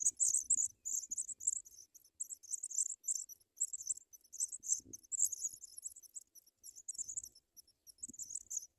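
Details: In their nest, young African pipits receiving white butterflies from the adults keep up a long, nearly continuous high chatter of squeaky bursts, with occasional soft thuds and rustles below.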